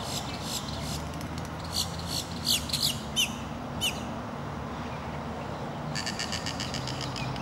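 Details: Snail kite at Tohopekaliga Lake, Kissimmee, Florida, United States: a short cluster of harsh, squawking calls, five or six rough notes within about two seconds, over a steady low rural hum.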